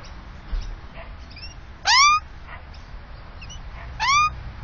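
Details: Australian magpie at its nest with chicks in a tree in Melbourne's south-eastern suburbs, Victoria: two loud, whining calls that rise then level off, about two seconds apart, with softer similar calls between, over steady hiss.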